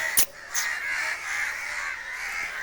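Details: A crowd of crows gathers in a tree, cawing over one injured crow that fell into a tank and cannot fly. Their harsh, overlapping calls blend into a steady, raspy chorus, with a couple of sharp knocks near the start.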